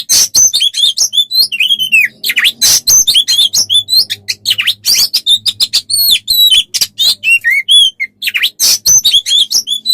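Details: Oriental magpie-robin song used as tutor material for training songbirds: dense, varied phrases of sharp chips, harsh bursts and looping whistles packed together without pause, with a faint low hum underneath.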